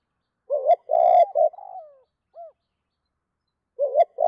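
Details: Spotted dove cooing toward a hen in the two-beat style. Three strong coos are followed by a trailing, downward-sliding note and a single short coo. After a pause, the next phrase begins.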